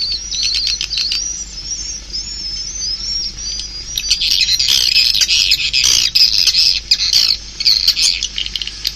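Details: Swiftlets calling; high thin chirps at first, then a loud burst of harsh, crackling twitters from several birds, with sharp clicking notes throughout.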